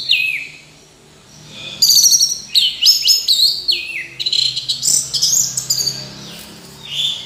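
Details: Orange-headed thrush pouring out a long varied phrase of bright whistles, slurs and twittering notes after a quiet start.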